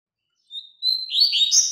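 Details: Double-collared seedeater strong tutor song for young birds learning to sing: a thin high whistled lead-in note, then a loud buzzy, warbling phrase sliding between high pitches for about a second. No other sounds.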